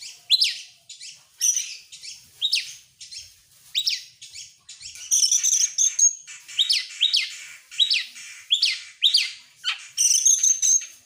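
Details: Oriental magpie-robin singing hard, excited and opening its tail: a steady run of loud rising and falling whistled sweeps, several per second at times, mixed with harsher buzzy notes and a few drawn-out high whistles.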